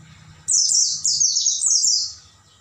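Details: Oriental white-eye song played at night as training for caged birds: a loud burst of rapid, high, descending chirped notes in quick runs, starting abruptly after a pause and fading at the end.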